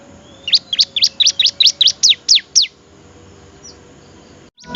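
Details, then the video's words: Bar-winged prinia singing, offered as a master recording for training other birds: a fast series of about ten sharp, high, upswept chirps in under three seconds, then quiet with a faint hum. "suara Merdu burung Ciblek cocok banget buat masteran"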